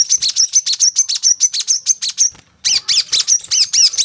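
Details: Coconut sunbird singing, played as a lure for captive birds: rapid high chips with a short pause, then a louder burst of sweeping, rising and falling high notes.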